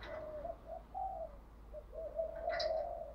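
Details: Decoy spotted dove cooing to stimulate wild birds into calling, switching its song pattern continuously: soft, low coos in short and stretched notes, fairly faint against steady background hiss.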